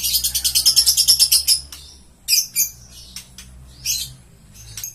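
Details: Green lovebird delivering a fast, even series of shrill chirps, about a dozen in quick succession, followed by scattered sharp squeaks and short high notes.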